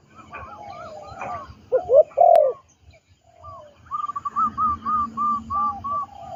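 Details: Trained spotted dove kept as a ground decoy: a loud burry coo near the start, then a rapid even series of short higher cooing notes, with some rustling and a sharp click.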